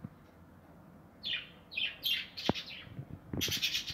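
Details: Budgerigars in an aviary with nests: sharp chirps sweeping down from high pitch arrive in scattered bursts, ending in a dense chattering cluster, over a low background hum and a few knocks.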